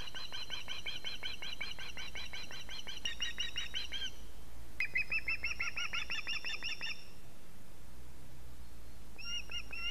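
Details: Osprey at a Latvian nest webcam, 6 September 2017, calling for fish after returning from a pine tree: fast series of whistled, slightly buzzy chirps, a short break, another run, then a few final notes over low rumble.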